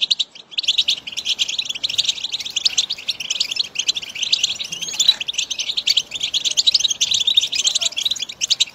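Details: Continuous goldfinch song used to motivate a goldfinch to sing: fast, high, jingling twitters and rolling trills packed closely together, barely pausing through nearly nine seconds.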